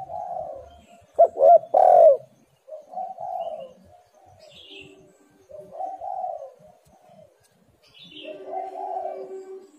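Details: Spotted dove calls used as a lure to make reluctant birds call: low, mellow cooing phrases, a louder emphatic burst near the second second, then softer drawn-out coos repeating every couple of seconds.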